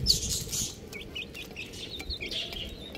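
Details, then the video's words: Young chickens peep in a short burst: a hissy rustle at the start, then scattered high, slurred cheeps from several chicks. "Beautiful Chick Sounds | Amazing Little Chick Chirping Sounds"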